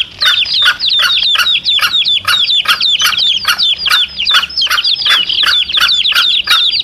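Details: Domestic chicks calling beside their mother hen, a recording meant to lure male junglefowl: continuous thin, falling cheeps from several chicks over rhythmic sharp clicks roughly twice per second.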